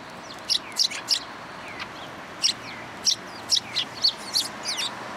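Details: Sparrows near a community hall in Japan, 26 February 2023, following a person to be fed; short bright chirps in loose clusters, some doubled or tripled, about a dozen across the stretch over steady background hiss.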